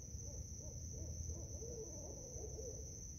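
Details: Barred owls, five in a park at night, calling back and forth; a series of low wavering hoots rising and falling, several notes in quick succession, over steady insect hiss and low background rumble.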